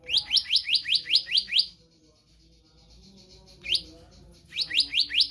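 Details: Oriental magpie-robin singing a fast run of seven bright upward-sweeping notes, then a pause, a single sweep, and another short burst of rising notes; faint low murmur beneath. Used as a model song for training caged birds.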